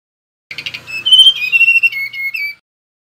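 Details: A stuttering buzzy start gives way to smooth, clear whistles that slide gently downward, sung by a male mangrove blue flycatcher; a faint low rumble sits under the opening.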